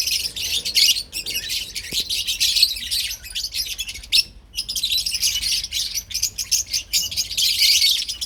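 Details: High, grating chirps from parblue and opline lovebirds pour out almost without pause, with one short hush near the middle before the chatter picks up again.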